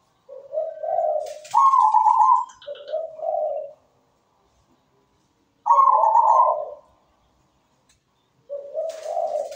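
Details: Zebra dove (perkutut), a keen perched singer, giving melodious song: low purring coos, a loud rolling trill, then more low coos, repeated after a quiet gap.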